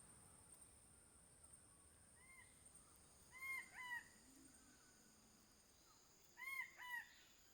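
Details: King bird-of-paradise, locally called Gobi-gobi, in the Badi Gaki Birds Sanctuary; two pairs of fairly distant, arched nasal notes that rise and fall, over a steady high insect hum.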